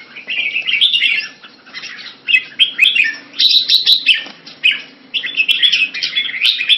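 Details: Captive red-whiskered bulbul in Singapore, kept Thai style, around February 2018, delivering bursts of lively warbling and sharp chirped notes separated by short gaps, the phrases rising and falling quickly.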